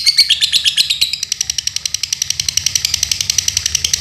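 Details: Lovebird called Dunhil, a kept bird from Pemalang, Central Java, Indonesia, delivering a fast, continuous high chattering trill of evenly spaced buzzy clicks, brighter and more whistled in the opening second.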